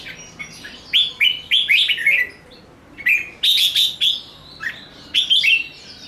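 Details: Energetic red-whiskered bulbul fighting song in 'ché nẹt' style: a run of five quick whistled phrases, a pause, then a louder ringing burst and more chirpy notes.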